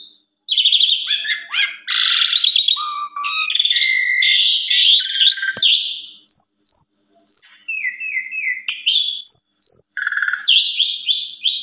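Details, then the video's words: A young Asian pied starling sings a long, varied medley of loud whistles, trills, rattles and buzzy phrases, shifting quickly between high and mid pitches. "Pancingan Sore Paling Ampuh !! Jalak Suren Bongkar Isian Cocok Buat Masteran Jalak Suren Masih Muda"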